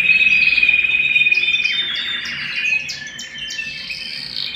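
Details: Domestic canary song recorded at home, opening with a long, bright, sustained whistled trill, then shifting into quick choppy notes and softer warbling.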